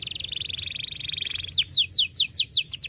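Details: Canary singing as a tutor for juvenile birds: a dense, even rolled trill, then loud, slower descending chirps repeated several times.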